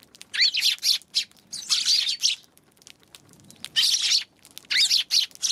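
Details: Eurasian tree sparrows on January 11, giving bursts of harsh, buzzy chirps in clusters of about half a second, with short quiet gaps between groups.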